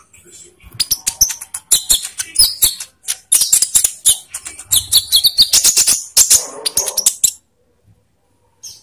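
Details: Olive-backed sunbird song used as a lure for captive birds: a long, rapid stream of high, sharp chirps and twitters lasting about seven seconds, then near silence.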